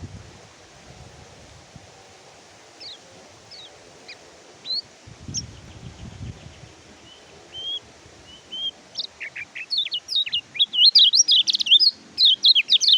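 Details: Oriental white-eye song in a tutor recording for birds reluctant to sing: sparse, faint high whistled notes for several seconds, building into a loud, fast burst of sharp twittering chirps at the close, with some low rustling early on.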